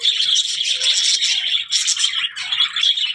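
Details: Short burst of budgerigar calls, rattling, scratchy, high chirps with a brief gap before more warbling.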